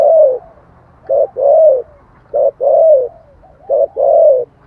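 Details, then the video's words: Spotted dove lure song in 'thổ' voice: four low, hollow phrases, each a brief note and then a longer coo that swells and slides slightly downward, spaced about 1.2 seconds apart over faint hum. "tiếng chim cu gáy giọng thổ chuẩn kích bổi nhanh nổi"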